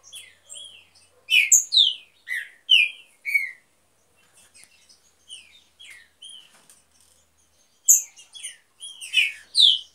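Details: Green-winged saltator of an aviary breeding pair sings clusters of loud, slurred whistled notes at the start and end, with a quieter stretch of soft chips and faint notes in between.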